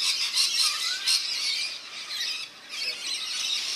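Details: Several rainbow lorikeets bathing at a backyard birdbath in NSW, Australia, make dense, harsh, high squeals in quick bursts, about two a second, with a brief quieter lull in the middle.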